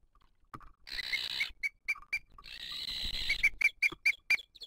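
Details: At a 2023 booted eagle nest on a live camera, the female feeds the chick amid attacks from other birds: two long hissing bursts overlaid by high piping notes, then a fast series of shrill, evenly spaced chirps.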